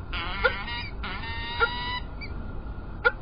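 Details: Peregrine falcons at Illkirch-Graffenstaden, France, 3 February 2018: two drawn-out, nasal, harmonic wailing calls, each nearly a second long, with regular sharp ticks and a steady background hum.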